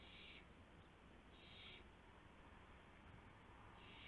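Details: Owl at its nest after midnight, 1:00 AM, 24 March 2016, as a gopher arrives; three loud, broad hissing screeches about a second and a half apart over low-level hum.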